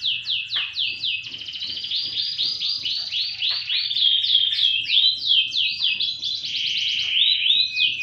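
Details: Canary song opening with quick down-slurred chirps, moving into rolling buzzy trills and pulsed phrases at about three to four notes per second, sustained high and bright throughout, over a faint low hum.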